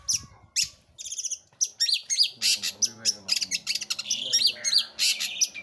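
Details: Long-tailed shrike singing actively: a dense, jumbled stream of scratchy chirps, rattles and buzzy down-slurs, rapid and irregular, with faint lower murmuring underneath.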